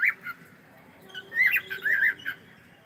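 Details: Cockatiel greeting with a quick run of squeaky, warbling chirps and short rising whistles, several notes bunched in the second half, over low background hum.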